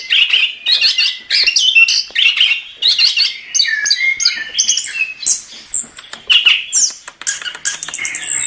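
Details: Chestnut-capped thrush singing energetically for a songbird tutor recording: rapid twittering phrases and sweet whistles with very high squeaky notes near the end, delivered almost without pause.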